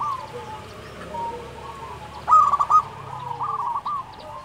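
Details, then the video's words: Singing local zebra dove. Softer rolling coos at first, then a loud clipped cluster of stuttering notes, followed by more trilled, pulsing phrases at an even pitch. Quieter overlapping coos sound in the background. "SUARA perkutut lokal gacor"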